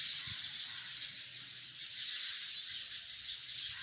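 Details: A tree full of sparrows, hundreds strong, producing an unbroken wash of bright overlapping chirps and twitters that swells slightly midway through.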